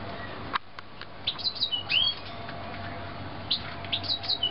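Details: Young canaries from the 2009 brood chirping in two bursts of high, thin notes, some sliding upward in short sweeps, with a sharp click near the start and a steady low hum underneath.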